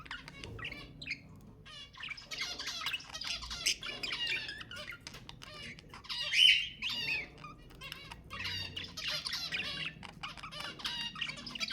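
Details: Budgerigar chatter for breeding stimulation: soft continuous scratchy warbling and squawks, fairly quiet, with one louder harsh note midway.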